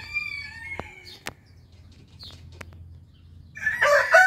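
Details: Rooster of Orpington or Marans breed crowing: a crow's drawn-out harmonic tail opens, then clicks and faint chirps, and a loud, rough crow breaks in during the final half second.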